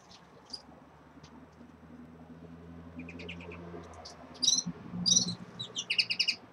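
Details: Red-fronted serins kept in a cage, just beginning to moult; after several quiet seconds of low background hum, soft high chirps build into a lively run of repeated bright twitters near the end.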